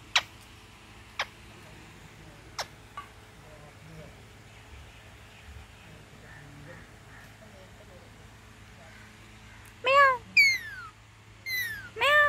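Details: A talking Kashmiri (Indian) ringneck parakeet makes a few sharp clicks, then four quick speech-like utterances, shrill and bending in pitch, over a quiet room hum.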